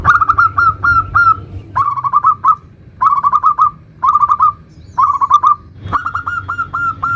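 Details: Zebra dove of a local variety in nutut song, meant to prompt other zebra doves to sing: short trilled phrases of quick cooing notes repeated about once a second, with low background rumble.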